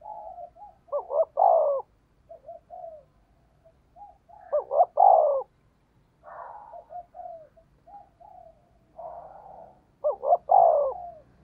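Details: Spotted dove decoy call, fast 'thúc gù' cooing in a local native voice: three loud phrases, each two quick notes sliding into a longer rolling coo, separated by soft gurgling coos and a few brief rustly bursts.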